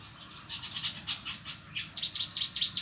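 Cigun singing a quick run of thin, high chirps and short trills that grow louder and denser toward the end, with faint low background rumble.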